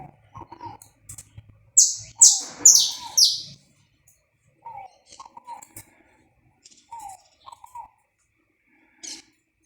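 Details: Saffron finch, recorded live without edits to warm up a bird: a fast run of four to five loud, high notes dropping steeply in pitch, surrounded by soft, low chirps before and after.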